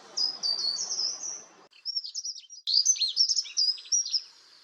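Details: Short-toed treecreeper in the coastal forest of Taramancos beach, Noia (Ría de Noia), giving thin, very high notes in quick bursts, some sliding and others sharp; a soft background hiss fills the first second or so.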